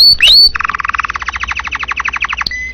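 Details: Vigorously singing domestic canary, a tutor recording for other birds: a short whistled upslur, then a long rapid rattle-like trill of buzzy repeated notes, closing on a thin steady whistle.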